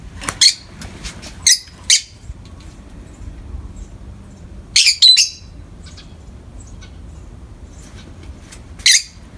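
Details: Two pet peach-faced lovebirds in the morning sun: scattered shrill, harsh squawks, three early on, a tight burst of three in the middle and one last cry, separated by quiet gaps with a low background hum.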